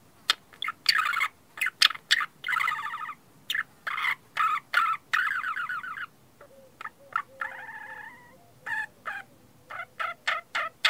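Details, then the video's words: Parakeet chatter: sharp clicks and short scratchy bursts, then warbling, buzzy chirps and a few thin whistles, in quick irregular runs without pause. "Parakeet sounds"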